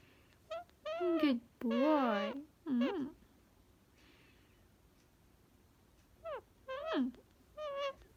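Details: Pet Indian ringneck parakeet laughing indoors when given a pretend hat, with repeated wavering, human-like laughing bursts and squeaky rising calls with pauses between them.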